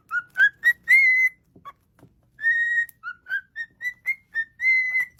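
A cockatiel gives a run of clear, rising whistled notes, some short and some drawn out.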